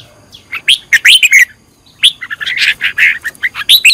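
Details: Decoy-trained red-whiskered bulbul, in an excited fired-up state, delivering loud liquid warbled phrases, then a short silence before a fast, busy chattering run of chirps.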